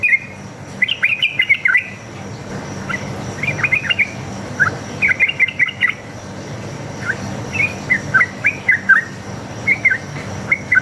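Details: Lure recording of a sooty-headed bulbul giving a long single-line 'ropel' song: bursts of fast bubbly whistles alternating with short pauses across ten seconds, with insect buzzing and a low hum behind.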